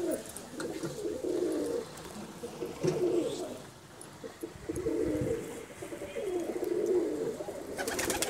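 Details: Hobby-kept pigeons in India coo in long rolling phrases that swell and fade in waves, with short gaps. Crackling bursts sound at the start and end.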